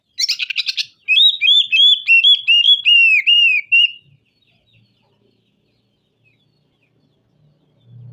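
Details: Singing oriental magpie-robin (kacer) in rough-material song: a short harsh buzzy burst followed by a loud chain of about ten clear whistled, slurred notes, then near silence with faint low thumps.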